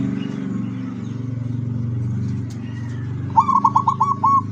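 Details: Zebra dove singing with its beak open, recorded 24 September 2023: after a low steady hum, one short burst of clipped, stuttering notes ends in a drawn-out coo.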